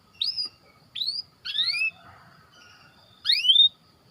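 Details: Four clear rising whistled notes, the first three close together and a louder fourth after a short pause, from a white canary used as training bait for other canaries.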